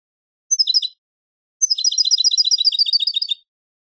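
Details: European goldfinch song from a Pepe Reyes recording: a brief twittered phrase, then a longer run of about twenty rapid, evenly repeated high notes.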